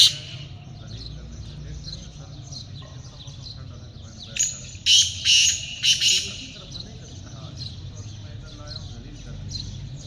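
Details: Black francolin recorded during hunting, giving a short run of four loud, harsh, grating notes in quick succession midway through, over constant faint chirping of other small birds and a low rumbling hum.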